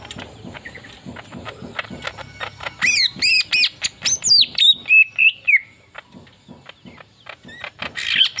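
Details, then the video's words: Leafbird delivering a relaxed 'tembakan' volley of song: soft scattered ticks at first, then a loud rush of steep upward sweeps and about ten quick whistled notes, fading to faint chirps before a final bright note. "TEMBAKAN SANTAI BURUNG MURAI DAUN GACOR"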